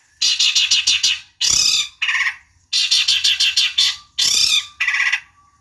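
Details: Long-tailed shrike singing as bait to anger a rival bird into replying: loud grating bursts, some broken into fast stuttered pulses and others smooth scratchy rasps, repeated in two similar sequences.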